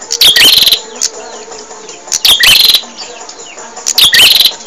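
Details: Bar-winged prinia song as a teaching recording for caged birds: three loud bursts of piercing, clicking chirps, each with a rising hooked note, about two seconds apart.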